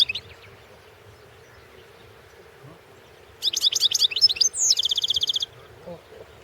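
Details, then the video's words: European goldfinch entered in the 2016 World Championship in Goldfinch Song: after near silence, a two-second outburst of high, fast tinkling twitters ending in an evenly repeated buzzy trill, over a faint steady hum. "Pesma štiglića 004/ 2016 Ivana Mladenović World championship in Goldfinch Song 2016"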